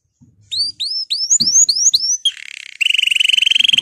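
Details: Canary song meant to encourage other canaries to sing: a row of high upswept whistles, then a buzzy note and a fast, even, high rolling trill.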